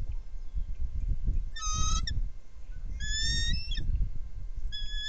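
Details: Bald eagles, three sharing a nest, recorded on a nest cam: short bursts of shrill, rapid chittering notes in bright layered tones, three outbursts in a few seconds, with constant wind roar underneath.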